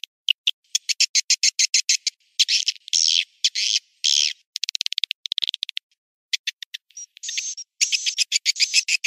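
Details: High clicking pulses and buzzy chirp bursts from swiftlets, used as a calling sound to attract birds to swiftlet houses in Indonesia, ending with a thin sustained high tone and chattering twitters.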